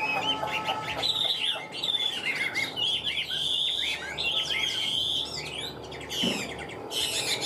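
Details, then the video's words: A captive Hwamei kept for song and fighting gives a sustained melodious sequence. Clear whistled notes are mixed with buzzy, chattering trills, and a short gap falls near the middle. "Họa mi vip đuôi lá vả cứng, hót cực tốt đấu tốt"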